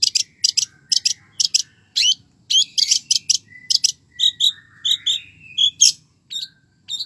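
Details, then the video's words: Long-tailed shrike in vigorous song: rapid bursts of shrill, chipping notes that shift into clearer whistled and buzzy elements midway, delivered in short, evenly spaced groups with little background noise. "cendet gacor isiannya mewah banget"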